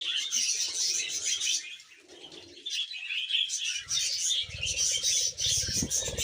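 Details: Happy budgerigar chattering in a steady, dense stream of buzzy warbles and fast chirps, with soft low thumps and rustling near the end.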